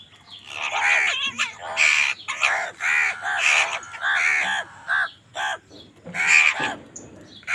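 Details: Crows squabbling over food: loud, harsh, hoarse caws in rapid overlapping bursts, several birds calling at once with barely a pause.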